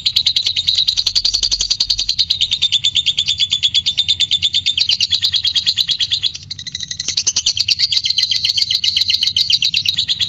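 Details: Lovebird in sustained ngekek chatter, a trigger for courtship singing: a dense, fast, shrill rattling trill continuing for ten seconds, dipping briefly in the middle before resuming strongly, with low background hum.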